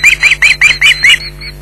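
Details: Osprey alarm calling at a nest at Loch Garten, Scotland, on 15 July 2011 during a persistent intruder's visit, recorded by a live nest camera: six loud, high, piping yelps about every fifth of a second, then softer thin notes, over a steady low hum.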